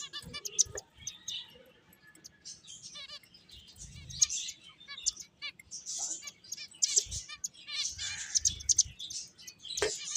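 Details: Finches playing, giving a busy stream of high, thin chirps and short trilled notes that overlap throughout, with soft low thumps from movement in the background.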